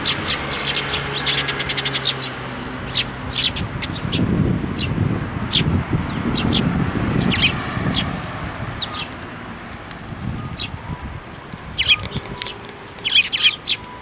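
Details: Eurasian tree sparrow chicks arriving at a plum tree to be fed, Tenmangu shrine, Japan, 25 May 2024; dense run of quick high chirps, then sparser calls over a low rumbling murmur.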